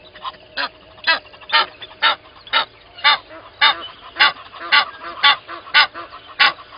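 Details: An Egyptian goose pair at Gowrie dam waterhole, Djuma Game Reserve, Sabi Sand, South Africa, at 05:32 on 12/01/20, gives harsh, raspy honks about two a second in a steady run over a faint background hum.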